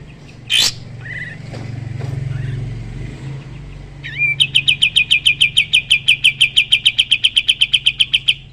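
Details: Sooty-headed bulbul song used to train other songbirds: after a few scattered chirps over low rumbling background noise, a slurred rising note leads into a long, rapid run of bright, high, repeated notes.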